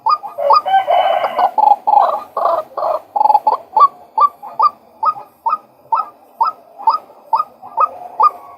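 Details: Male white-breasted waterhen (Amaurornis phoenicurus) giving harsh, croaking notes about twice a second, dense and overlapping at first, then settling into a steady run of single calls.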